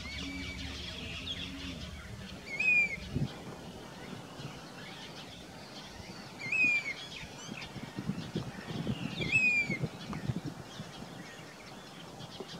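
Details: Grey-bellied cuckoo (Cacomantis passerinus), a summer migrant in Sikar, Rajasthan, India, singing three clear, plaintive whistled phrases, each with a sliding note, spaced about three to four seconds apart over a low rural hum.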